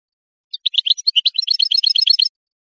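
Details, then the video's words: European goldfinch singing, played to train birds and encourage breeding: a quick burst of about a second and a half of liquid twittering notes that speed up into a dense, sparkling trill, with a silent background. "improving goldfinch singing skills exercises and training"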